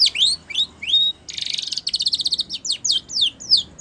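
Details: Spanish Timbrado canary singing a training song: a few swooping whistled notes, a sustained buzzy rattle, a fast pulsed trill, then repeated sharp downward-slurred notes.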